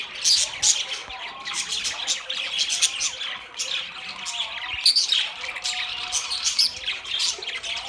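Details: Several budgerigars chatter nonstop: a busy mix of high twittering, scratchy warbles and sharp squeaks, with louder bursts near the start and around five seconds.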